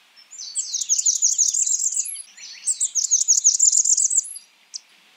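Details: Blackburnian warbler repeating a high, thin song twice: each a quick run of about ten wavering notes lasting near two seconds, with a short gap between and a single high note at the end.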